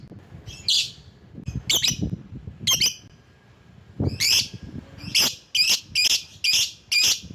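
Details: Lovebird calling to draw in other lovebirds, giving a series of sharp, shrill squawks, sparse at first and then quickening into a rapid run of about six calls over the last three seconds, over faint low background noise.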